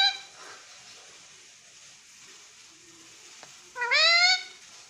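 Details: Pet ring-necked parrot saying "mummy": a brief note opening, a faint tap, then a loud nasal rising "mami" with strong overtones, indoors with soft background hiss.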